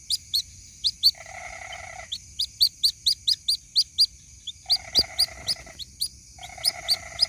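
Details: A white-breasted waterhen chick calls to its mother on a lure recording, with quick series of high, upward-slurred peeps. Three lower buzzy rasps break in, and a single sharp click and a steady high whine are also heard.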